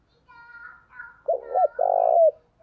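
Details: Decoy spotted dove calling wild doves: faint thin tones, then two short rounded coos and a long, grating, slightly descending coo.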